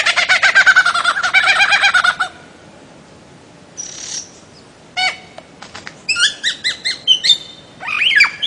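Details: Bird-of-paradise song opening with a long rapid series of rasping, buzzy notes, then quiet, then clipped staccato calls and a few rising slurred notes.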